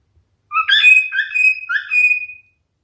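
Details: One brief song phrase from a male cockatiel: a sharp chirp, then a drawn-out even whistle and a few quick falling notes.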